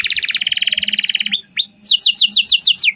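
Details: Atlantic canary singing as a training lure for a juvenile bird: a fast, even trill of bright repeated notes, a brief slurred whistle, then a series of downward-sweeping whistled notes.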